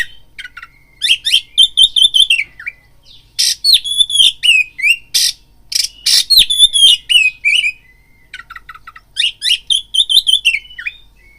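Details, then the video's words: Oriental magpie-robin singing a lure meant to provoke fighting urge in other males: loud, varied bursts of sharp whistles, rapid chattering notes and slurred rising-falling phrases in dense clusters separated by brief pauses, clean background. "BIRAHI TARUNG KACERMU NAIK DENGAR PANCINGAN KACER INI BUNYI"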